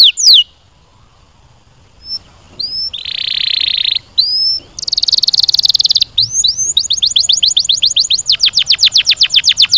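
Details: Canary song with varied phrases: clear falling whistles, a loud sustained buzzy trill, short upward slurs, then a long fast series of rapid descending notes accelerating into a rolling trill; loud and close.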